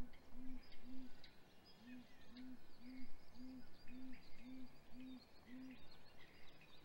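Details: Great grey owl at a nest in Mission Valley, 7:26 am on 27 April 2020, hatch week, as the male delivers prey to the female. Ten deep, soft hoots are evenly spaced about every half second, with faint songbirds chirping high above.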